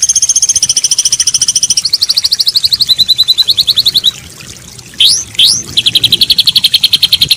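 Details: Training song of a white-rumped shama, used to restart a stressed bird that went silent: rapid high trills shifting pitch in steps, a short pause, two rising whistled sweeps, then another quick, even trill.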